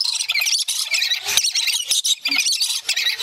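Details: Excited male and female lories during courtship play, the male biting a hand at the female's urging; continuous shrill, grating screeches and chattering with brief breaks, one short lower honk midway.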